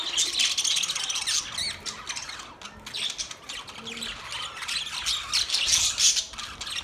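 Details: Colourful pet Australian parrots, budgerigars, chatter in quick scratchy chirps and squawks, about three per second. The chatter swells loudly at the start and end, with a quieter stretch in the middle.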